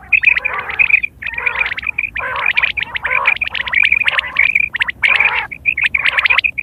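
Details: Quail recorded in September 2023, a sound used for hunting and mating: dense rapid series of nasal, harmonic calls with bright pulses repeated in bursts about once a second, with several birds calling together and laughter nearby.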